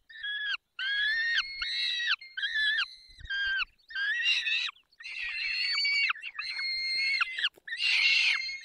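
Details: Feeding peregrine falcon in the Barycz Valley on 20 May 2021 at 10:22 utters a long series of grating, harmonic wailing cries, mostly short and closely spaced, ending in a louder rasping burst.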